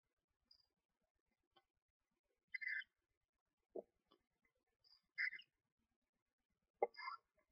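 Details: Screech owl nestlings only a day or two old chirp inside a nest box during feeding by the mother. Three separate bursts of rasping, mid-high chirps, with low dull thumps and rustling sounds from movement in the box between them.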